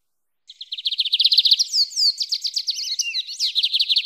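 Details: Lined seedeater, 'mateiro' song style for training or warming up a pet bird: a brisk trill leads into a jumble of rising and falling whistled slurs, sharp chips and buzzy phrases, continuing busily to the end.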